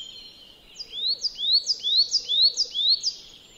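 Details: A coal tit in a farmyard at Joroinen repeats a high, clear two-note rising phrase about every half second, seven times in a row, over a quiet background.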